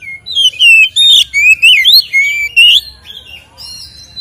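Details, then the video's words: White-rumped shama lure song for making captive birds aggressive; loud fluty whistled phrases sliding up and down in a continuous flowing series, ending with softer notes. "SUARA BURUNG Kacer gacor isian NGEPLONG TARUNG ini paling AMPUH buat PANCINGAN KACER agar EMOSI"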